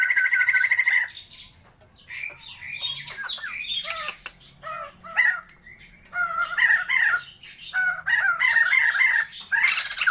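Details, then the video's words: Sumatran white-crested laughingthrushes, a caged pair in a breeding trial, alternating a loud harsh opening burst with scattered short chattering notes, then building back into raucous cackling near the end. "POKSAY JAMBUL SUMATERA GACORRR"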